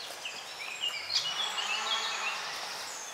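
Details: Great spotted woodpecker nestlings being fed give a steady, high, buzzy chatter, a dense insect-like churring that runs without pause, with a little background hiss.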